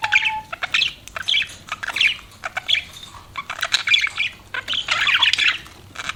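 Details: Pet budgerigars chirping: dense, scratchy warbled chatter of rapid clicks and squeaky notes in bursts, with a short low steady whistle at the start and brief pauses between phrases.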